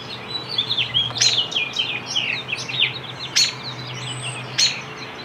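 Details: American robin fledgling being fed by a parent; high, squeaky chirps and thin downslurred notes run through the clip, with sharp louder bursts near 1.2, 3.4 and 4.6 seconds over a faint low hum.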